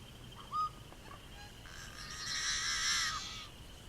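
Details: Northwest of Regina, Saskatchewan, Canada, on May 6, 2014, a Yellow-headed Blackbird gives a brief clucking note, then a long, harsh, grating buzz lasting nearly two seconds, over a faint steady background hum.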